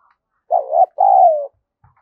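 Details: Decoy spotted dove's 'gù' cooing to draw and provoke wild doves: one low, mellow, warbled note then a sustained, gently descending coo, with a faint tap just afterward.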